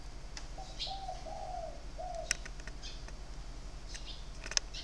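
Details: Captive spotted dove, sharp-voiced, singing in the three- and four-note style on 23 February 2020. A run of soft stepped coos opens, followed by clicks, wing flutters and high chirps of other birds.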